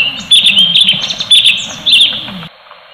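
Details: Cucak cungkok (orange-bellied leafbird) delivering a rapid 'tembakan' song phrase: dense, high-pitched chattering with quick sliding chirps and a few louder accented notes, stopping abruptly.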